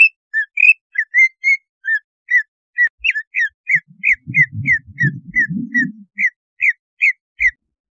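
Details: Greater Green Leafbird lure song meant to raise mating arousal and make the bird aggressive: a long series of varied whistles, flat, rising and downslurred, at a steady pace, with a low murmuring rumble in the middle section.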